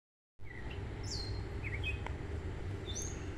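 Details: Gray catbird singing from a tree in a backyard at sunset on a June evening in 2024, a bird that sings all day from one spot. Short, scattered squeaky slurred notes, high and thin, over a steady low rumble of background noise.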